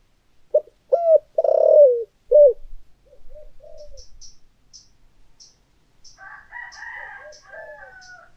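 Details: Decoy spotted dove, thổ-style voice, gives a full cooing phrase of short hoots and a long buzzy coo with soft trailing notes. Another bird chirps higher and more busily near the end.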